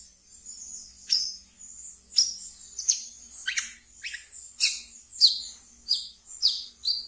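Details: Wiceh, a kept pet bird singing in its chattering ngeriwik style, used as a training lure for brown-throated sunbirds: high, thin, sizzling trill broken by sharp downward-sweeping chirps repeated roughly every second, with a faint low hum beneath.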